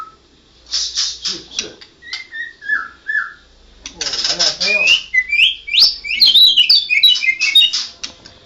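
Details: White-rumped shama, a national champion, singing ngerol: opening rasping bursts, then falling whistles, a harsh trilled stretch and a rapid cascade of high, rising whistled notes.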